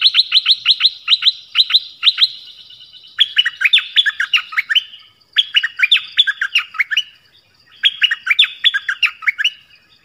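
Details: Dok taeng bird singing many song phrases: a rapid run of paired high notes, then three bursts of jumbled, chattering chirps separated by brief pauses.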